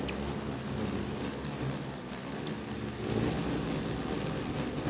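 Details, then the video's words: Many hummingbirds fighting over territory at a busy sugar feeder in Bigfork, Montana, filmed on a Canon 7D: thin high squeaky chirps over a steady high whine of fluttering wings, with scattered short ticks. "Hummingbird Feeder Frenzy II in Bigfork Montana Territorial fighting"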